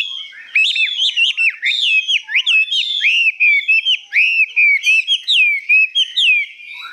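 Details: Hwamei, described as 85% tamed and newly arrived, singing high with long phrases: continuous loud, varied whistled song of slurred rising and falling notes and rapid trills, phrases running one into another with brief pauses.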